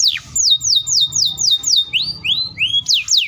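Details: Canary song with a long fast roll, used to make young and silent canaries reply. Loud downward-sweeping whistles are evenly spaced, followed by several rising slurred notes and two more falling whistles.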